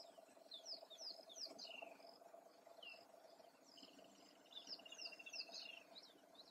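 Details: Wattled starling males, breeding and non-breeding, give thin, squeaky chirps and wheezy notes in quick bursts, with a short buzzy trill midway, over a steady low hum of insects.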